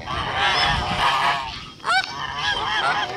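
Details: Blue Kholmogory gander, hatched 2016, farm, 21 August 2018: a long drawn-out harsh honk, a short break, then sharper rising honks that follow one after another.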